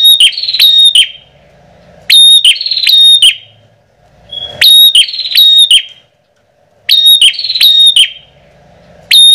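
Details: Lure recording of bar-winged prinia (Prinia familiaris), used to attract prinias in rice fields, fields, gardens or forest: loud, high, sharp chattering bursts of quick notes, repeated about every two to three seconds in a steady loop.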